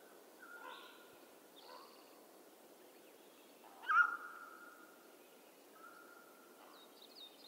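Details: Mountain quail from western North America giving loud, clear single calls, each a sharp onset sliding into a long steady ringing note; one strong call near the middle, fainter ones earlier and later, with faint higher bird notes in the background.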